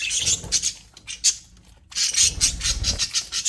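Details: Aviary budgerigars, called happy, chattering in a dense, buzzy run of high squeaky notes, a short lull, then a second loud burst of rapid chirps and warbles.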